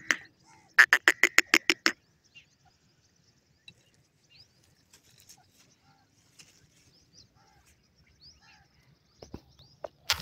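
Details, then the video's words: A francolin (Dakhni teetar) gives a quick run of about seven loud, harsh, ringing notes, then falls quiet among faint chirps before another loud note at the end. "dakhni teetar bird lovely sound, bird love teetar ki boli"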